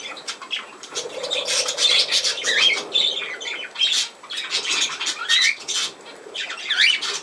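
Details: Budgerigar chattering in raspy, buzzy phrases mixed with short rising chirps, coming in uneven waves of louder and softer bursts.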